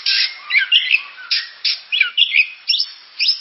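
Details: Oriental magpie-robin (kacer) giving short loud bursts of harsh, scratchy notes mixed with brief clear whistles, each burst separated by a short pause.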